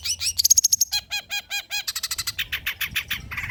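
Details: Long-tailed shrike singing old-style, richly varied song material, used for prompting and tutoring spotted shrikes. Quick high chattering notes, a thin steady whistle, then rapid runs of repeated chopped syllables spanning low and high pitches.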